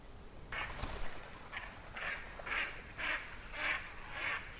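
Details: Several mallards hidden in shrubbery and brush in spring, quacking in a loose series of harsh, nasal quacks, roughly two per second, with a low background rumble.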